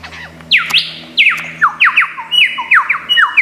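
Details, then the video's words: Mimicking lyrebird song of Australian forests: a rapid series of loud, clear descending whistled slurs, roughly eight in three seconds, each dropping steeply in pitch, with a faint low hum beneath. "Tembakan Lyrebird gacor 1001 macam suara"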